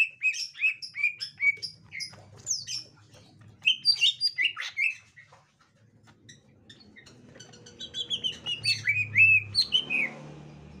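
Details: Gotri-type green leafbird calling as a young wild green leafbird is found: quick series of clear whistled chirps, a pause near the middle, then a renewed burst of sharp, varied notes over low background hum.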